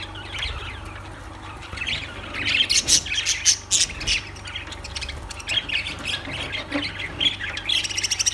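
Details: Lovebirds start with soft twittering, which builds into a loud run of rapid, sharp squawks and squeaks before settling into continued chatter above a low background hum.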